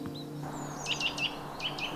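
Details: Eurasian nuthatch, among the morning's first, during an early-May dawn chorus at Ladybower Wood, around 5–7 am at minus two degrees: short clear whistled notes, about five in two seconds, amid thin calls of other birds over a low hum.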